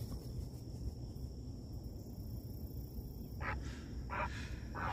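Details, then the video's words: Great Blue Heron giving three short, harsh, rasping squawks in quick succession near the end, over a steady low rumble of wind. "Ever heard the sound a large Blu Heron makes?"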